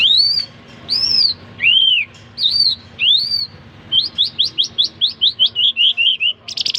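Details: Jal irani in song: several long, pure whistles, some arching and some rising, then a fast run of about a dozen clipped notes stepping downward and ending in a buzz.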